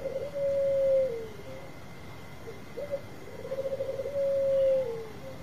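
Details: Loud-voiced Bangkok-type zebra dove, meant to make other doves reply quickly: two matching phrases, each a fluttering trill into a long level coo with a falling tail, separated by short clipped notes; background hiss and faint steady tone.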